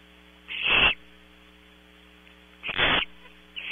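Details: Two loud, rough screeches from barn owl owlets in a nest box at night, Audubon Starr Ranch, California, spaced about two seconds apart, with a third starting; constant low hum beneath.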